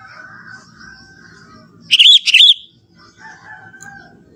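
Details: A single bright, bubbling phrase of rapid warbled notes from a young Sooty-headed bulbul of the forest, natural song without mimicry, with faint thin whistles from other birds before and after.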